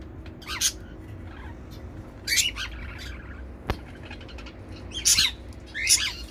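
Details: Zebra finch pairs flying in a mixed outdoor aviary on a flat balcony in Dubai; loud, brief, nasal beeping calls in clusters about every second or two, with faint low background hum.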